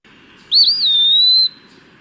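An Eastern Wood-Pewee gives one clear, slurred whistle lasting about a second. It swings up and then eases down, like a drawn-out "pee-wee." A faint low hum sits underneath.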